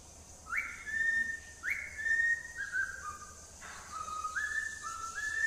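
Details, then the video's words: Whistled tune from a pet cockatiel: clear notes that swoop up and then hold level, stepping down and back up in a short melodic phrase, over a steady high background hiss. "Best whistle.. Signing By Cocktail Bird"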